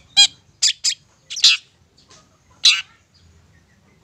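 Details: Long-tailed shrike calls played as a lure to rouse mute shrikes into lively, agitated singing: harsh buzzy squawks in single and paired bursts, spaced unevenly with short silent gaps between them.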